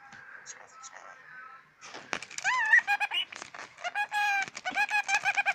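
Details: Pet scaly-breasted lorikeet talking while swearing over his toy: a soft low warble, then loud squeaky, harmonic speech-like syllables with sliding pitch, chattered in quick bursts indoors.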